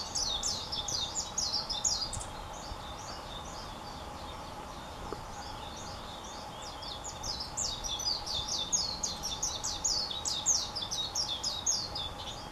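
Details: A Japanese white-eye (Zosterops japonicus) sings from a tree in Kaizu, Gifu prefecture, Japan: a long, rapid, high-pitched twittering warble of jumbled notes with hardly a pause, over a steady faint hum.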